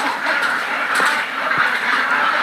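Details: Flock on a duck farm producing constant, crowded quacking, harsh nasal calls layered over one another with a few sharper clicks and knocks mixed in.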